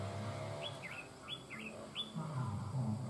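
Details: A newly caught má trắng songbird sings over a decoy bird with a mature-sounding voice: three quick bright whistled notes that slide down and then curl back up, set against a constant low engine-like rumble.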